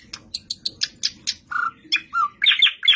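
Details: Nightingale singing: a series of short sharp high chirps, then lower whistled notes and a dense buzzy flourish near the end.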